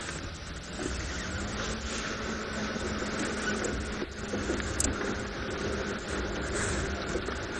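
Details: A steady engine rumble with a low hum runs throughout a morning safari drive in South Africa, with wind noise and a faint voice, but no animal calls.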